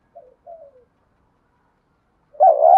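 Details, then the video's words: Spotted dove in native-style prompting coo meant to rouse other doves to reply fast: two soft, short low coos, the second slightly falling, then silence before a loud, sustained coo that breaks off abruptly. "cu gáy thúc gù giọng đồng thổ, chim cu gáy kích bổi nhanh nổi nhanh"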